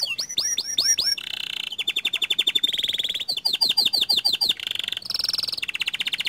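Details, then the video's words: Panda canary, a constant singer, rolling and delivering long bursts: looping upswept whistles, a buzzy roll, then several fast rattling trills and repeated sweeping notes, ending on bright sustained buzzy phrases. "Suara Kicau Kenari PANDA Gacor Ngerol Nembak Panjang"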